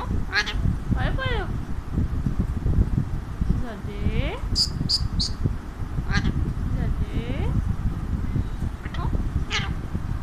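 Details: Talkative pet Alexandrine parakeet perched on its owner's hand; repeated harsh screeches mixed with bending, voice-like warbles and a few short high chips, all over a continuous low-pitched rumble.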